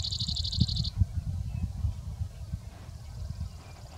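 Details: Brewer's sparrow singing from big sagebrush near Silver City, Montana: its daytime "short song" typical of unmated males, a fast, high, buzzy trill that stops abruptly, then a fainter trill; a sage thrasher sings behind, with low wind rumble.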